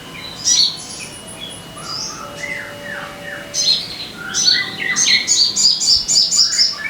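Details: Crimson sunbird song used as a lure to get caged birds singing: scattered high thin chirps and short slurred notes, ending in a fast, bright, repeated high twittering run, with faint steady tones behind.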